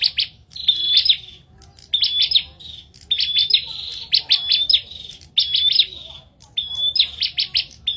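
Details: Bar-winged prinia in a duel, singing steadily: a short high whistle followed by a burst of harsh chips, phrase after phrase, separated by brief quiet spells.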